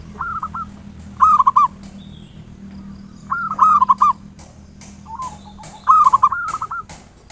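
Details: Local zebra dove singing ngayer nulop style, played to provoke other doves: three clear bursts of fast, stuttered coo notes roughly every two and a half seconds, a fainter phrase between, and scattered sharp clicks.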